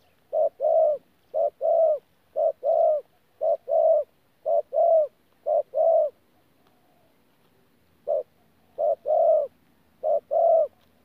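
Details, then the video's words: 'Bổi' spotted dove cooing in the 'thổ pha gù' style at Tu Mơ Rông, 14 January 2019. Low two-part phrases, a clipped note and then a sustained hollow coo, repeat steadily about once a second. There is a brief pause midway before the series resumes. "BỔI THỔ PHA GÙ QUÁ TỐT"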